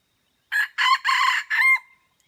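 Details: Red junglefowl from Aceh, recorded at Mata Ie, gives a loud crow in four parts: a short opening burst, two longer rough syllables, then a final note that trails off into a thin steady tone. The background is quiet.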